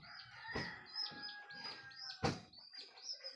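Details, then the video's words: Domestic rooster crowing at daybreak, the crow heralding morning; a drawn-out harmonic call sits under a busy chorus of small birds chirping and trilling, with loud sharp bursts standing out. "SUARA AYAM BERKOKOK TANDA HARI SUDAH PAGI"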